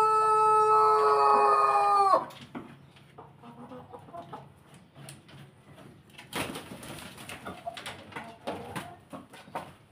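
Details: Rooster crow from a chicken flock of Bangkok and pelung chickens: the end of a sustained, strongly tonal, resonant crow held steady for about two seconds, then cut off and followed by scattered clucks and clattering background noise.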